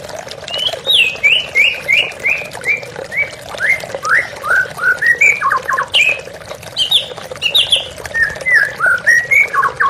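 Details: White-rumped shama song set against flowing water for therapy listening: loud, varied whistled phrases with rich slurred and rising notes, quick repeated figures and brief pauses, delivered continuously throughout.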